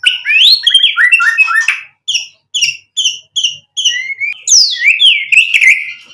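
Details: Murai batu, the white-rumped shama, in full 'gacor' song: a rich, tumbling warble, then a row of short, evenly spaced chirps, and a final burst of loud, sweeping whistles.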